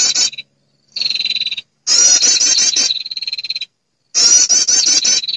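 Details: High buzzy calls of a female prinia summoning males, used as a lure: clipped trilled bursts and flat whistled tones separated by silent breaks.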